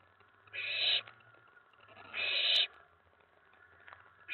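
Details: Excited owlet inside a nest box late at night, 19 May 2017, reacting to an owl on the tray after a mouse delivery. Two rasping, hissy screeches about a second and a half apart, with a third starting at the end and a faint low hum beneath.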